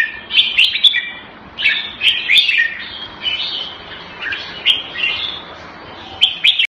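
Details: Red-whiskered bulbul kept in the bird hobby, known locally as jambul, delivering a series of cheerful warbled phrases with clicks, fading briefly midway before a final bright burst.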